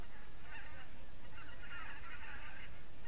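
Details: Geese calling on an October 2015 evening: a brief burst of honks, then a longer run of overlapping nasal honks, over constant low-pitched rumbling noise.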